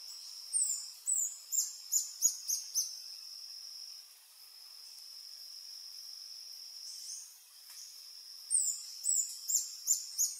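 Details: Adult male Reddish Hermit, subspecies ruber, singing on a lek along Sentier de Americains, French Guiana, 1 March 2024 at 15:03, filmed with a Panasonic FZ300: bouts of about six very high, thin notes, roughly two per second, over a steady high whine.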